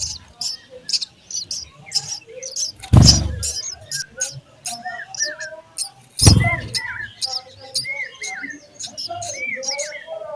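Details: Sparrow chicks in the nest while being fed: quick, harsh, high chirps in uneven bursts. Lower whistled slurred notes from other birds and soft background noise are also heard, with two loud thuds.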